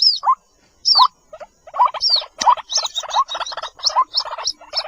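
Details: White-breasted waterhen chicks call for their mother in a lure recording: a high, thin downslurred peep alternates with short buzzy, rattling notes, speeding into a rapid run of paired calls.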